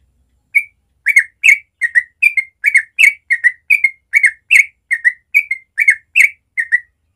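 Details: Morning ropel song from a sooty-headed bulbul, natural sound: a continuous, lively stream of around fifteen bubbly whistled notes, each rising then dropping, tumbling out about two per second without pause.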